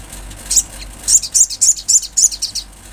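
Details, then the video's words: Olive-backed sunbird in the wild: after one opening note, a series of about seven high, bright, buzzy chips follows at an even, fairly quick pace. "Sogon gacor suara Asli Alam"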